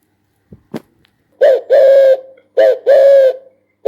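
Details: Spotted dove cooing: two close, low phrases, each a short coo followed by a longer level hooting note, after a couple of soft clicks.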